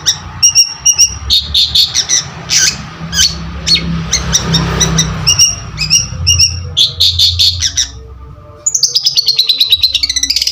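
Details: Lively Long-tailed shrike song, used as a trigger sound: a busy jumble of sharp chirps, clicks and short whistled notes. It ends in a fast, even trill of rapid repeated notes that slowly descends, with faint low rumble beneath.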